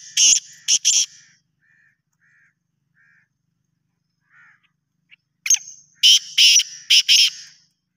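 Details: Pakistani black francolin gives two scratchy, rhythmic phrases of short rasping notes, separated by a pause filled with faint distant calls.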